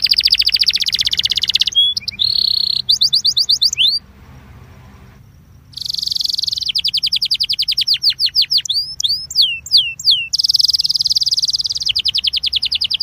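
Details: Belgian canary singing a training song meant to warm up canaries: dense high buzzy trills and rapid repeated notes, a short pause of near silence, then fast falling and rising sweeps ending in another buzzing roll.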